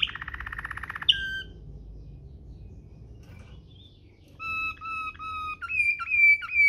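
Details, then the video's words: Waterslager canary rolling song for training canaries, with a quick rolled trill, a sharp note, a quiet gap, then paired whistled notes and rising slurs. "NGEROL MEWAH ala WATERSLAGER, cocok buat Masteran burung kenari cengkok mewah"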